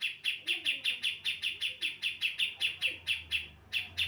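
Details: Female Javan brown-cheeked bulbul calling to draw in males: a steady, unbroken string of bright, clipped chirps, roughly two and a half per second, each note sharp and slightly descending, with a faint low hum beneath.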